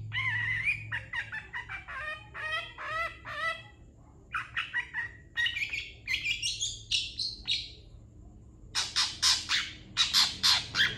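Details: Long-tailed shrike master song used to train other birds, opening with quick rolling chattering phrases, then a pause, then varied squeaky whistles and a closing burst of harsh scratchy notes.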